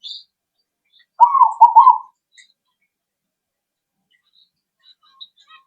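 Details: Zebra dove lure call for prompting replies: one quick, rolling, stuttered coo phrase in an otherwise quiet recording, with faint high chirps before and after it.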